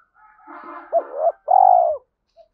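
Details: Spotted dove lure coo for training young captive doves: a soft murmured start, then two short upslurred hoots and one long, steady, slightly falling coo.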